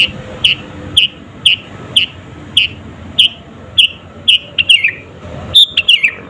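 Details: Sooty-headed bulbul calling lustily as a lure to anger rival birds: evenly spaced bright chirps about every half second, ending in a quicker burst of sliding, descending notes.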